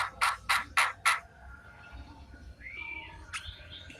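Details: Afternoon song of a Javan myna: four loud harsh rasping bursts about a quarter second apart, then a soft rising-and-falling whistle and a short sliding note.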